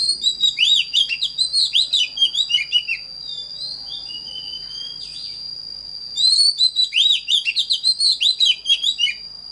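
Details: Oriental magpie-robin singing, recorded as a training song for teaching birds a standard voice: two bursts of rapid, varied whistled and chirping notes separated by a quieter pause, over a steady high-pitched whine.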